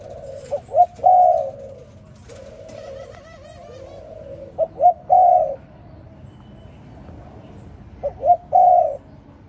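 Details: Spotted dove in the morning giving its phrase three times, about four seconds apart. Each phrase has two short rising coos followed by a long, full cooing note, with faint soft coos between phrases.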